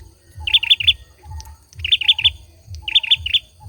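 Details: Male olive-backed sunbird song: three-note bursts of sharp, high chirps spaced about three-quarters of a second apart, with a faint mid-pitched trill and a low, regular thumping in the background.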